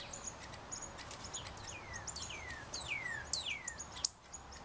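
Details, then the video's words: Three young Northern cardinals chasing each other in play, giving clear, down-slurred whistles, about five in quick series, mixed with sharp high chips over steady outdoor hiss. "Red Cardinals Audio"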